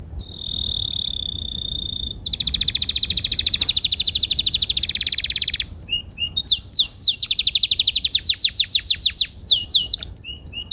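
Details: Canary singing a varied song: a steady high whistled note, then a long fast buzzy trill, followed by rapid repeated descending chirps and quick sweeping notes.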